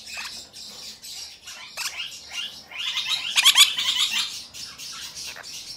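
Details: Cream ino lineolated parakeet, recorded 2022-11-21, chatters in a rapid run of high squeaky chirps and short warbled notes. The chatter grows louder and denser in the middle, then eases off.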